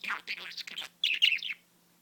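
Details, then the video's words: Budgie talking indoors: two short bursts of scratchy, chattered syllables, the second higher and clearer, then silence for the final half second. "Blu the budgie talks."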